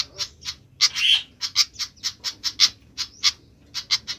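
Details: Flycatcher (sikatan) calling loudly: crisp ticking notes at an uneven pace, broken by one drawn-out harsh, buzzy rasp near the start.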